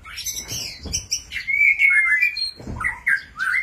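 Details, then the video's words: White-rumped shama performing a display, singing varied whistled phrases: a long sliding whistle with high chirps and buzzy notes, broken by low thumps of movement. "MURAI BATU GACOR White-rumped shama Display kích chòe lửa hót nhiều giọng"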